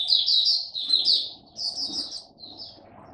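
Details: High, sweet chattering phrases from a caged Oriental white-eye performing its 'buka' opening song, three quick bursts tumbling together, then a softer trailing note.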